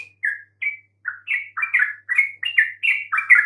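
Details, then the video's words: Chirping of a yellow-vented bulbul used to get quiet birds to respond: spaced single notes that speed up into a dense, warbling chatter, growing louder toward the end. "coba sekali PANCING trucuk BISU MANAPUN pasti RESPON NYAUT dengan kicauan ini"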